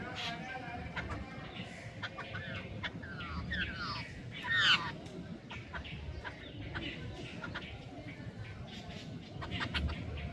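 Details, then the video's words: Jungle babblers (ছাতারে পাখি), described as hungry birds in their daily struggle for food, give scratchy, harsh notes and a louder rasping burst midway, with faint voices and low background rumble. "Hungry Birds l Jungle Babbler l Hungry birds daily struggle for food l ছাতারে পাখি"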